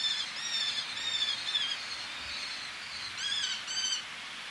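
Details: Eleonora's falcon, a male calling at medium-close range with females calling from ledges, sea in the background: high, harmonic-rich kee notes, some drawn out and some short and overlapping, over a steady wash of surf.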